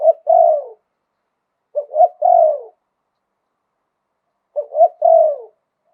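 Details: Spotted dove, 'liu tan' style song with 'khan yon' wild voice. Three phrases of quick low hoots ending in a long falling coo, with a long pause before the last. Nothing else is heard.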